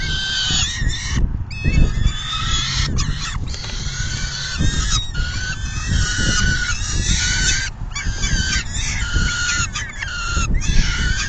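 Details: At a peregrine falcon nest during a feeding on June 10, 2022, shortly after 4 PM; loud, nasal, stacked wailing calls run nearly nonstop, some rising and falling, over a deep steady hum.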